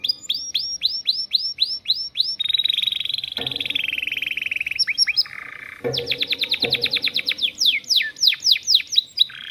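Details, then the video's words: Canary singing a long song filled with lovebird-style phrases: a run of quick repeated downslurred whistles, then a long buzzy sustained stretch, then rapid chattering trills and sharp rising-falling sweeps, high-pitched throughout. "Kenari isian love bird durasi panjang"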